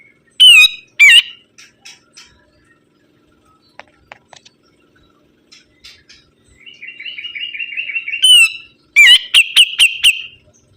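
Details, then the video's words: Sibuntung bird singing actively: two loud, sharp sweeping whistles, scattered soft ticks, a buzzy rattling trill, then a fast burst of five strident chips. "BURUNG SIBUNTUNG GACOR"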